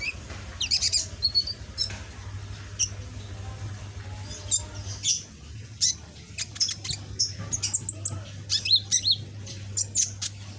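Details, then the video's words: Red-backed sunbird in green plumage, young and caged, learning its song: a long run of rapid high twittering and sharp chirps, busy at the start and end, quieter midway, over a steady low hum. "Burung Kolibri ninja punggung merah ijoan gacor"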